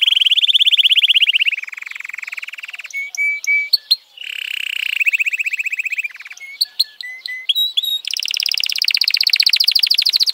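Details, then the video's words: F1 canary singing a long, continuous song: fast rattling trills at steady pitch change to new trill phrases every second or two, broken midway by clear whistled notes and sharp upward-sweeping chips, ending in a bright, dense rolling trill. "suara kenari f1 keren dan mewah"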